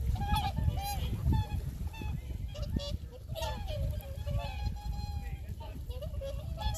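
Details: Swans on the shore of Lake Kussharo in Teshikaga, Hokkaido, with a flock calling continuously in overlapping nasal, bugling honks amid steady low wind rumble and faint voices of tourists nearby.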